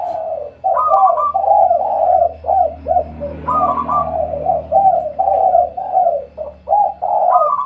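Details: Spotted dove calling at midday at home: soft, low, hoarse coos run together almost without pause, some notes rising slightly higher, with only brief gaps between phrases.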